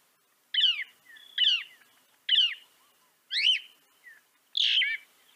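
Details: Northern mockingbird singing, a North American bird: five sharp, ringing chirped phrases with a sweeping bend, each about 0.3 seconds, spaced roughly a second apart, with faint softer notes between them and no other sounds.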